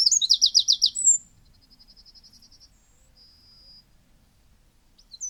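Eurasian wren: a loud, explosive burst of rapid high trills and sharp notes, fading into a thinner fast rattle and a brief sustained trill.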